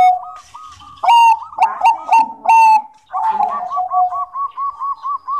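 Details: Zebra dove of Bangkok stock singing: a clear rolling coo phrase that ends in a string of quick, evenly spaced soft notes, with a few loud chirps from another bird early on.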